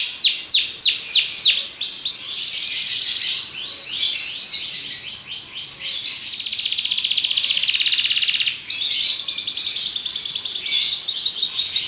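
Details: Belgian canary song opening with swift descending whistled sweeps, followed by long sections of dense, high, rapid trills that change tempo and tone several times.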